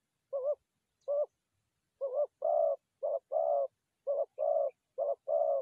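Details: Forest doves, tied to trapping, give low hollow coos in short separate notes that become paired groups, one brief coo followed by a longer rolling one, repeated about once a second against a quiet background.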